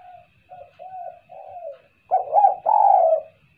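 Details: Spotted dove kuk-kuk call for luring. Three soft, sliding low coos lead into two loud, rich coos, the last one drawn out and falling. A faint high steady tone runs in the background.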